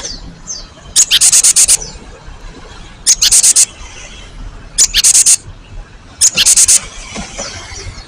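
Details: Cinereous tit giving rasping, rapidly pulsed buzzy calls in four bursts spaced one to two seconds apart, with faint thin notes in between. The recording is intended as a lure that draws answers from other birds.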